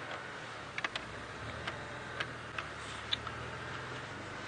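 Sharp, irregular ticks and clicks over a steady low hiss, with no animal calls.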